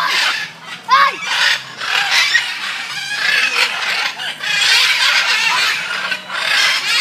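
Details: Raucous, grating screeches from macaws at Safari World in Bangkok, several birds calling over one another almost continuously, with one short rising-and-falling whistled note near the start.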